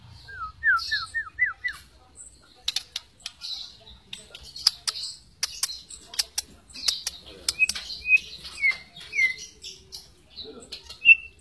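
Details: White-rumped shama lure song for stirring other shamas to sing: a quick run of five upslurred whistles, then many sharp ticking clicks, ending with a few short slurred whistles. Voices are heard just before.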